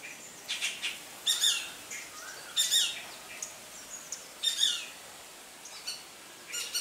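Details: Greater racket-tailed drongo, an expert mimic, copying calls of Shikra, Rose-ringed Parakeet and Treepie: loud, harsh, high-pitched bursts, some doubled, coming about once a second with short quiet gaps over a faint steady background.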